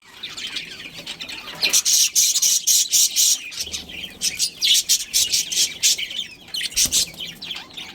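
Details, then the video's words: Budgerigars in a colony with a breeding pair, chirping: dense bursts of sharp, high, scratchy chirps and squawks, rapid and uneven, fading in and out through the clip. "Cute Budgies Chirping Sounds"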